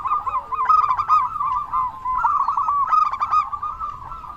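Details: Local zebra dove with a big, lively voice, cooing to prompt other doves to sing. Rolling, trilled coos around one pitch run almost without pause, with overlapping phrases and clicky staccato notes in short bursts.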